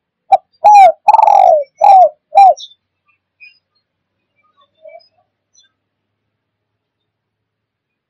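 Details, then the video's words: Spotted dove calling for trapping wild birds. One quick run of mellow coos, short notes around a longer trilled coo, is followed by several seconds of near silence with only faint distant peeps. "COCOK UNTUK PIKAT BURUNG TEKUKUR DI ALAM LIAR"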